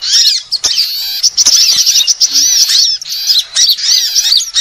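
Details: Lure recording of assorted sunbirds: shrill high chirping and rapid thin trills running almost continuously, several birds overlapping, with a few brief dips.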